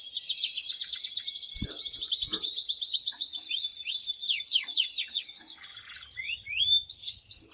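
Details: Very strong song of an excited male canary urging its mate to breed, made of long rapid rolling trills with sliding swooped notes. A couple of sharp clicks occur early, and a faint low hum comes near the end.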